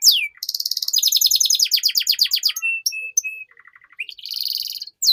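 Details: Canary song played to teach young canaries to sing: a quick downslur, a long pulsing rattle-like trill, short flat whistles, a low soft stuttering run, then a high buzzy trill.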